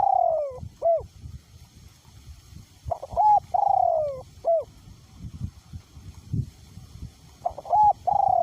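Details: Spotted dove used as a decoy bird, cooing despite strong wind, voice pitched small to medium. Several repeated phrases of short upswept notes, a held coo and a long descending slur, each closed by a curt hooked note, over low wind buffeting.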